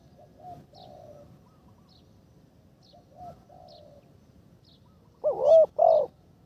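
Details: Spotted dove decoy bird, in its third training session, heard as soft distant coos at first, then two loud, close, hollow coos at the end over a quiet background.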